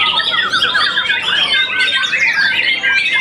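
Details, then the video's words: Young white-rumped shama after its first moult, a champion contest bird, sings a rich, fast song of varied whistled and chattering phrases, continuous and tightly packed, with sliding notes and rapid trills. "murai batu muda mabung satu kali || juara smm"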